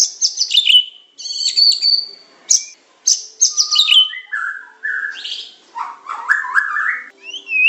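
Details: Medan white-rumped shama training song: rapid high chattering bursts and a sustained whistle, then stepped lower slurred notes falling and rising in a lively sequence, with short pauses between phrases.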